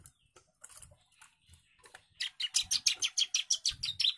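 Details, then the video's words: Young bar-winged prinia singing agitatedly: after a scattered, faint start, a fast, even run of sharp, high chipping notes, about three per second, with soft low thumps in the background. "CIBLEK GACOR DOR,, CIBLEK MUDA NGAMUK"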